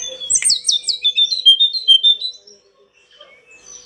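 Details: Pied bush chat, in a recording for training pet birds, giving a rapid twittering phrase of descending whistled notes lasting about two seconds, followed by quiet.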